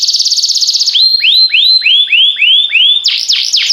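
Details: Canary singing a fast high trill, then a slower series of six rising-and-falling arched whistles, finishing with sharp steep downward strokes.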